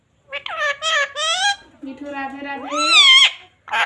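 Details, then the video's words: Pet parrot talking, said to say mummy and papa: several harmonic, voice-like phrases with wavering pitch, ending in a high, squeaky rising and falling sweep, indoors. "parrot talking sound"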